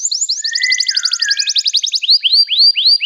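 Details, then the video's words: Canary in song: a dense rapid high trill over a lower drawn note, followed by several upswept whistles spaced evenly. "toque imediatamente este encantador som de canário"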